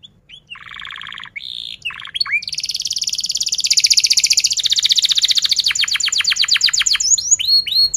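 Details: Chatty canary song used to teach young birds and coax silent ones to sing: short buzzy phrases open into a long, fast, rolling trill lasting several seconds, ending in a few sharp upswept chirps.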